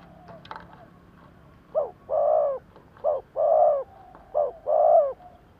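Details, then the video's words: Caged decoy spotted dove used to attract wild doves: after a second of faint clicks and rustle, three cooing couplets follow, each a short hoot then a drawn-out mellow coo. "Tổng hợp chim cu gáy thúc gù / Cu gáy kích mồi Cực chuẩn / Tiếng cu gáy kích bổi nhanh nổi"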